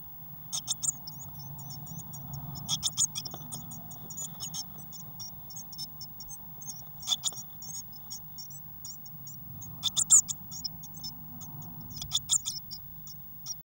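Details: Six Eurasian blue tit chicks in an overcrowded nest box, 22 May 2019, some flapping their wings. Dense high-pitched cheeping runs throughout, broken by short bursts of rustling and flapping.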